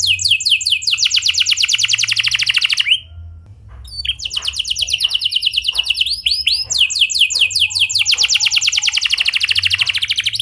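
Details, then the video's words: Canary singing a clear roll, used as a lure for other canaries: long fast trills of high repeated notes, a brief pause near three seconds, then more rapid rolling trills and swept notes. "Pancingan Efektif Banyak Burung Kenari Cepat Ikut Gacor Dengan Suara Kenari Gacor Ngeroll Jernih Ini"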